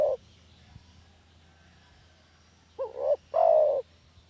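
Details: Spotted dove lure sound for catching doves: the end of one coo, a quiet pause of more than two seconds, then one complete phrase, a wavering double note running into a longer falling coo.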